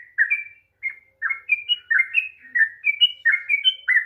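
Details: Sooty-headed bulbul singing a long song to trigger a quiet bird, with a brief opening gap, then a run of clear slurred whistles stepping up and down, fairly evenly paced.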